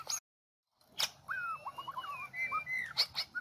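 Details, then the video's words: White-rumped shama of the Medan type, used as a trapping lure: after a brief silence, clear whistled notes that slide and warble at mid pitch, with sharp clicks between phrases. "Pikat jebak jontrot murai medan lepasan"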